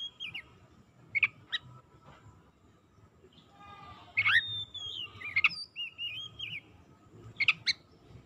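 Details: Oriental magpie-robin song, played to coax silent, sluggish magpie-robins into loud singing: sharp clicking chips, a rising whistle, and wavering whistled phrases at moderate volume above steady low background noise.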